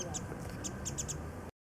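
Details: A warbling white-eye among early cherry blossoms at Kitago Station, Nichinan, Miyazaki, Japan, calling while sipping nectar; a brief string of five or six high, clipped chip notes before the sound cuts off.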